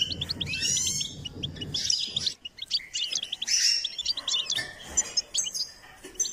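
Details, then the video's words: Singing goldfinch in a song-training session: fast, jangling twitters and high tinkling notes delivered in dense bursts, a deep rumbling noise at the start, then choppier chirps toward the end. "Step by step enhancing the goldfinch’s singing"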